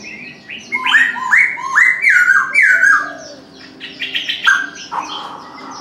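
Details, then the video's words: Chinese francolin calling in the morning: a rapid chant of about six loud, harsh, ringing notes, each sliding downward, over roughly two seconds, then quieter broken notes, with faint chirps of other birds behind. "Chim đa đa gáy sáng"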